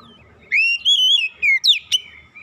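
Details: Oriental magpie-robin song for a silent bird's therapy: a short loud phrase of long, slightly wavering whistles, a falling note and two sharp ringing accents, over a quiet low hum.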